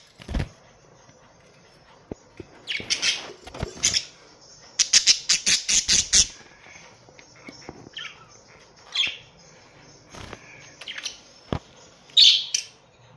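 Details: Australian budgerigars, a colony of pet birds: scattered harsh chirps, a dense rapid string of scratchy notes in the middle, occasional clicks and knocks, and a final bright squawk.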